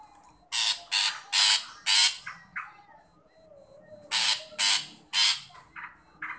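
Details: Long-tailed shrike calling to draw out a shy, quiet shrike: loud, harsh, rasping bursts, four in quick succession, then a pause and three more, with faint fainter notes between.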